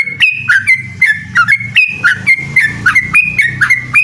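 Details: Yellow-vented bulbul (trucukan) singing to challenge a rival in a song duel: rapid run of bubbly notes, each a quick upward flick to a short level whistle, repeated about once a second, with a low hum beneath.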